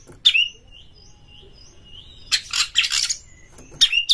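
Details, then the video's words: White-rumped shama singing to excite other shamas: a sharp whistled note, a long faint steady whistle, then loud buzzy rasping bursts and a final clicking chirp. "pancing KACER sampai GACOR NGEPLONG BONGKAR ISIAN BUKA EKOR suara cepat Naikan EMOSI KACER Anda"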